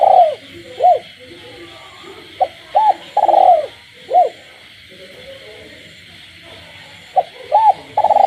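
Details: Spotted dove kept in captivity, cooing by night in a rural village. Soft arched hoots and short clipped notes repeat in phrases over several seconds, backed by a continuous shrill frog chorus.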